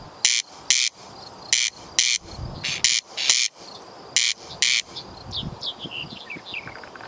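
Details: A corn crake near Bolu, Turkey, gives harsh, rasping double 'crex-crex' notes, a pair about every 1.3 seconds; other birds twitter with thin whistled notes near the end.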